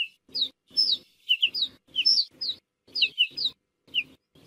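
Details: Ortolan bunting voice: short sweet notes sliding down from high to mid pitch, given in quick clusters of two or three with brief pauses, repeated through the recording; a faint low hum sits under each phrase.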